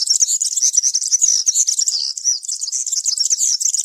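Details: European serin singing cante campero, the country style used to tutor young birds, in woodland: a continuous very high, buzzy, jingling stream of rapid tinkling notes with no pauses.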